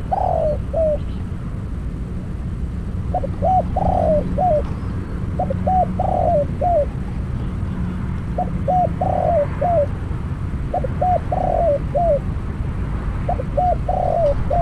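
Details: Decoy spotted dove kept for trapping wild doves, during its first catch. Its rolling coo phrases, short notes leading into a long burred note and a dropping tail, come again and again at fairly even intervals against low background hum.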